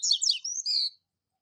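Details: Double-collared seedeater, a classic master teacher song used to train young birds, styled Tui Tui Zel Zel: a quick phrase of high sweeping chirps and a sustained whistled note, under one second, clean background.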